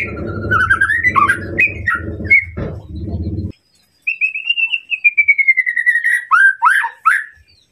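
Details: White-rumped shama song used to provoke a rival, in a rich 'gacor' style with long shots: clear whistled phrases over a low hum, a brief pause, then a long slightly falling whistle ending in quick rising notes.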